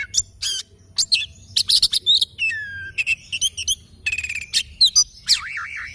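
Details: Oriental magpie-robin singing in the morning: a rapid, varied run of sharp chirps, trills, buzzy notes and clear whistles, including a falling whistle and a wavering warbled phrase, with faint low rumble beneath.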